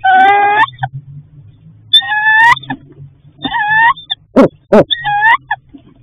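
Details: Nesting female barred owl asking her mate for dinner at night: drawn-out nasal whines in short bouts, a couple of sharp hoot-like barks in between, and a faint low hum.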